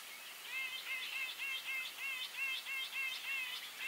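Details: Rapid, steady string of nasal, harmonic squeaks from a grey-eyed bulbul, about three notes each second throughout.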